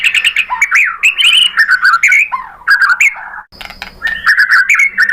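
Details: Murai batu (white-rumped shama) singing a loud, dense lure song to provoke answering birds: continuous swooping, warbled phrases and rapid chatter, with crisp clicks and a short break partway through.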